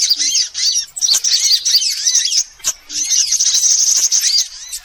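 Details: Sunbirds calling in a lure recording for attracting birds: two bursts of thin, intense high chirping separated by a brief pause, each opening with a low soft tick.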